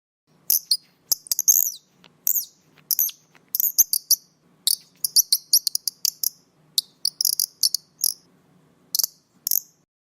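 Very high, thin, piercing notes from a kingfisher, given in quick irregular bursts of two to five over ten seconds, with a faint low hum underneath.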